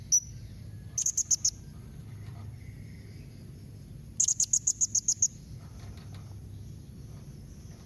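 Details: A blue-crowned hanging parrot calls sharply to provoke an answer from other hanging parrots: two rapid runs of piercing high notes, about six and then nine in quick succession, separated by a three-second pause.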